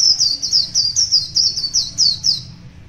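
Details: Wild white-eye singing in the morning, said to be one year old: a brisk run of high, sweet downslurred notes, each dropping quickly in pitch, about eight in under three seconds, with a soft low hum underneath.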